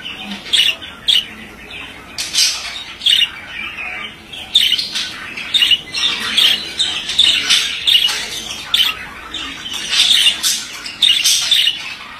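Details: Male budgerigar chattering through a long, lively warble of buzzy, grating notes and high squeaks, delivered in uneven bursts with barely a pause.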